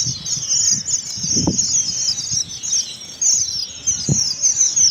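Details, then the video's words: Strawberry finches (red avadavat) in Karachi give a constant, very high, thin twittering chorus, with a few soft low thumps like wingbeats or cage movement. "strawberry finches singing bird"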